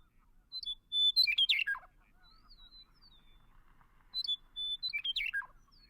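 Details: Western Meadowlark singing its consistent, flute-like song: two phrases, each opening with clear whistles and tumbling into a rich, gurgling descending warble, about three seconds apart.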